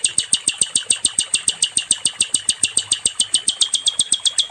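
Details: Nightingale (sikatan londo) song used for tutoring other songbirds: a fast, regular train of bright, high, clicking notes, roughly three to four per second, running without a break for over four seconds.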